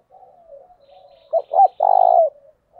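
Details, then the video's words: Captive decoy spotted dove cooing to draw in wild doves: low soft murmurs, then two sharp rising notes and a long rattling coo, ending with a quiet tail note. "tiếng cu gáy thúc căng lửa, mở lên bổi nghe gáy theo cả ngày"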